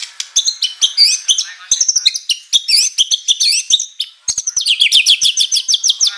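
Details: White-rumped shama delivering high mimicked filler phrases: rapid, thin chirps and looping high whistles in quick bursts, ending in a fast regular series of short rising notes.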